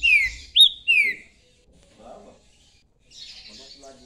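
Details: Trinca-ferro, the rufous-bellied thrush, gives a short loud phrase: a falling slurred whistle, a sharp rising note and another descending whistle, followed by quiet murmuring and soft rough sounds.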